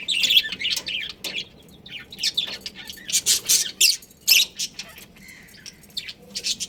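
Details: Pet budgerigars, a breeding pair, chattering with mixed high chirps and scratchy squawks in irregular bursts, louder clusters in the middle, softer scattered notes toward the end.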